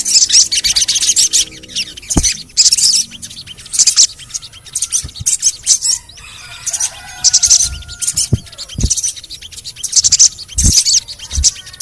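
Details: Sogon, or crimson sunbird, calling as lure audio to make silent sogon birds sing. Short bursts of high, shrill twittering repeat roughly every second, with brief quieter gaps, a few sharp clicks and faint lower tonal sounds between bursts.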